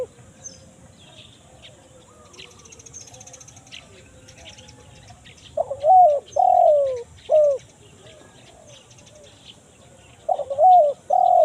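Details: Spotted dove 'kuk 1 mersik' lure call meant to bring in wild birds in the forest: several seconds of faint background chirping, then a burst of three arched coos, a pause and two more.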